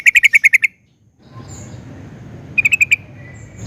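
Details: Sooty-headed bulbul (trucukan), a singing bird used as a lure to prompt other bulbuls to sing. A quick burst of about seven sharp chirps, a pause, then four more rapid notes.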